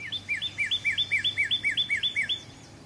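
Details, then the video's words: Northern cardinal repeating about a dozen short, ringing whistled notes, each rising then dropping, delivered quickly and evenly over steady low background noise. "Northern Cardinal Calling or Voice"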